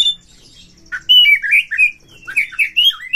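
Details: White-rumped shama provoked to fight a rival, singing with open tail in a cage; short bursts of slurred whistles and rising, warbled notes around the upper-middle pitch, separated by a quiet gap.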